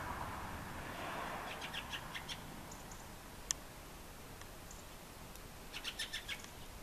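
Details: Fieldfare (Turdus pilaris) calling in several short runs of rasping, clipped chack notes, separated by pauses, with a sharp click midway and a low-level outdoor hiss underneath.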